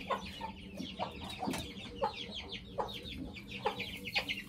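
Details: Two white Aseel heera hens sharing one handmade wheat nest while hatching eggs: low clucks repeated roughly every half second, with higher thin peeping notes and a steady noisy background.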